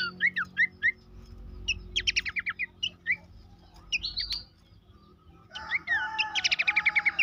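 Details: Horsfield's babbler song for encouraging caged birds to sing: spaced short phrases of rapid repeated notes and whistles separated by quieter gaps, ending in a loud fast trill over a steady tone, with background hum.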